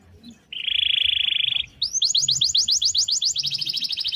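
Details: Pet canary with a long rolling song for tutoring: a dense buzzy trill held over a second, a brief pause, then evenly repeated rising notes merging into a fast high roll.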